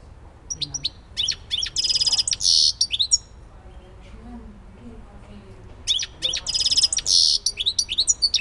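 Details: Two bursts of European goldfinch song in the civit elbasani style, each about two and a half seconds long: bright tinkling twitters running into a dense buzzy trill, then sharp chirps. A quiet pause of several seconds separates the bursts.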